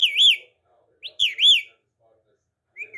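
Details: Pet talking parrot giving loud looping whistles that rise and fall in smooth waves, two bursts about a second apart, then a brief softer whistle near the end in a quiet room.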